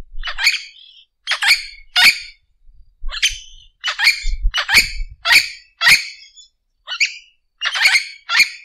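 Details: Orange-winged amazon producing a steady series of coarse, screechy squawks, roughly one every half second, with a few shorter thinner notes mixed in and faint low rumbles in the background.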